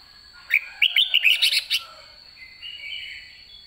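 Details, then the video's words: White-cheeked red-whiskered bulbul late in the season ('đã ché') delivers a rapid run of clear chirping notes, about six in quick succession, then a softer, slurred whistled trail. "Chào mào má trắng cuối vụ đã ché"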